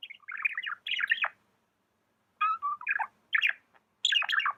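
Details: Pet budgie chirping in two bursts of fast, scratchy, warbled notes separated by a second of silence, bright and chattering.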